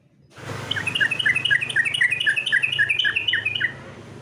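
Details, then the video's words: Sooty-headed bulbul competition song, one continuous rapid run of ringing chirped notes, about four per second, over a low steady hum. "Masteran Trucukan Lomba, Semua poin bunyi suara burung trucukan ada disini"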